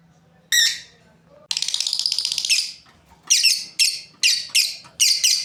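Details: Breeding lovebird pair: one shrill chirp, then a long rapid rattling chatter of about a second and a half, followed by quick paired high squawky chirps.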